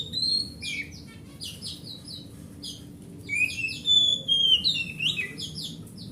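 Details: Oriental magpie-robin (kacer hutan) song meant to get a silent magpie-robin singing: clusters of short bright whistles and smooth rising and falling slurs, a lull, then a livelier whistled passage, faint hum underneath.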